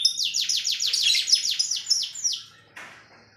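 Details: Canary in a cage delivering a sharp song phrase: a rapid series of steep down-slurred notes repeated about three per second, slowing toward the end, then a short noisy burst and quiet.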